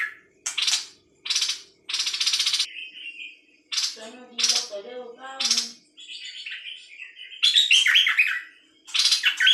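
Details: Bird song: noisy, rasping bursts alternate with warbled whistles. A lower, wavering chattering briefly joins in midway.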